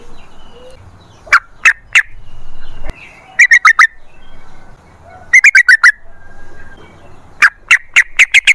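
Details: Yellow-vented bulbul (trucukan) song, a long lively run used as a lure to prompt other bulbuls to sing: bursts of loud, bubbly liquid notes in short clusters separated by pauses.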